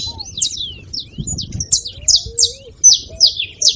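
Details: Saffron finch singing, used to prompt a silent canary to sing: sharp high chirps and short slurred notes spaced irregularly, about 77 per minute, with soft lower whistles and gentle background noise.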